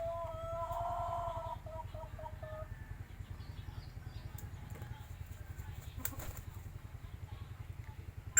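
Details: Chicken crowing once, a drawn-out harmonic call lasting about two seconds that breaks off in short steps, over a steady low engine hum, with a few clicks and knocks afterwards.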